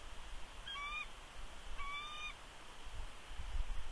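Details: At a Big Bear nest on 3 February 2020, a female bald eagle gives warning vocals toward an intruding adult eagle: two thin, slightly rising whistled calls about a second apart, over a steady hiss and faint wind.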